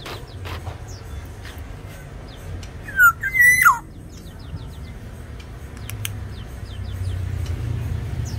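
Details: Tame Black-naped Oriole from Sumbawa, singing actively, gives one clear liquid whistled phrase midway: a short downslurred note, then a sustained level whistle ending in a steep fall. Small birds chirp faintly behind a low rumble.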